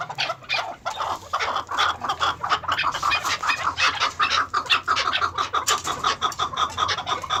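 A female chukar gives a rapid, steady run of dry clucking chuck notes, nearly three per second, with no other clear sounds.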